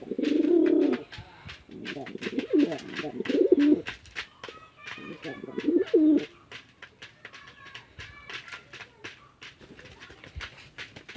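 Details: Fighting male and female pigeons kept on a village house farm in Chittagong District, Bangladesh, give bursts of low coos early on, followed by a dense patter of sharp clicks and taps.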